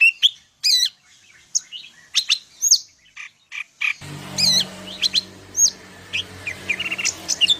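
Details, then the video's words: Medan greater green leafbird (cucak ijo) singing sharp chirps and slurred whistles; halfway through, a steady low hum and hiss appear behind continuing varied high notes. "cucak ijo medan_gacor full isian"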